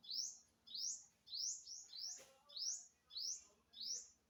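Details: An unidentified bird recorded on 27 September 2022 gives high, thin upslurred notes, each rising sharply, repeated about every half second, eight in a steady series, with faint low background hum.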